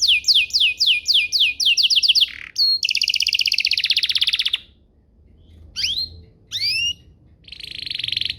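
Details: Canary song used as a lure to get other canaries singing and answering: fast high descending trill notes, a buzzy sustained roll, then a pause before a few sharp upslurred whistles and a closing buzzy trill.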